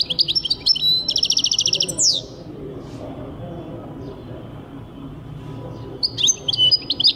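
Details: European goldfinch singing, recorded in 2023: rapid, high twittering trills of fast repeated notes in two bursts, one at the start and one at the end, with a quiet pause between and a low background hum.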